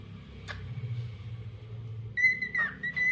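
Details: A lutino cockatiel whistles its daily tunes: a clear, steady tone, then a brief dip and a return to the same note, with a soft click and low indoor hum earlier.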